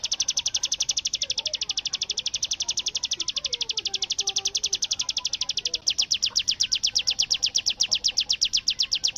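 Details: Continuous rattling trill from a bar-winged prinia in its bren song style, likened to rapid gunfire: high, evenly spaced notes that run for the whole stretch and grow louder toward the end, with soft lower warbles beneath.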